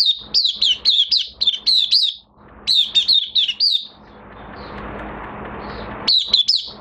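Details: Oriental white-eye in minor moult, recorded 3 June 2022, delivering rapid runs of bright, high chirping notes that jump and dip in quick succession. A soft hiss fills one pause before the phrases resume.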